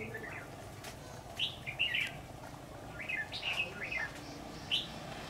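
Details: Red-whiskered bulbul singing at a trap site, 10 September 2019: separate lilting phrases, each a quick rise and fall, spaced about a second apart, against low background rumble.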